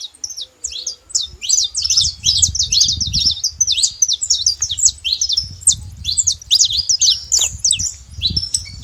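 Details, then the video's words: Free wild saffron finch producing a rich, rapid song of high chips and slurred whistles packed closely together, with low rumbling background noise. "canário da terra livre na natureza com belo cantos"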